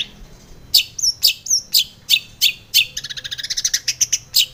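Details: Female long-tailed shrike, a morning lure call for caged birds: a few spaced harsh high notes, then a fast rattling series of rapid chirps toward the end.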